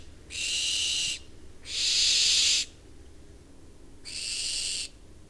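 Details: Two barn owls calling in September with long, harsh hisses. Three rasping, noisy bursts, each under a second, come at uneven gaps; the middle one is loudest. The background is otherwise quiet.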